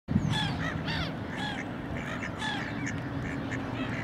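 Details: Noisy black-headed gull giving repeated harsh, downslurred squawking calls about every half second, over steady low rumbling background noise.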